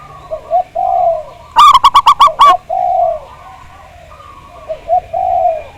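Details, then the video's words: Local Javanese zebra dove with a big voice, used as a lure recording to prompt other doves to sing. Soft, low, rolling coos, then a loud burst of six rapid, ringing staccato notes, followed by more mellow cooing phrases. "Pancingan Perkutut Agar Bunyi, Suara Besar Mantab"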